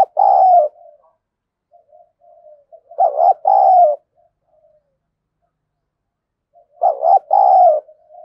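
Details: Caged decoy spotted dove with a harsh, scolding 'thổ' style voice, calling to provoke wild doves. Three deep cooing phrases, each a quick double note and then a long mellow coo, come about every three and a half seconds, with soft low coos between.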